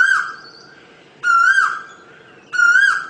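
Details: Asian koel with clear rising whistled notes, two full ones roughly 1.3 seconds apart after the tail of a previous note, echoing slightly.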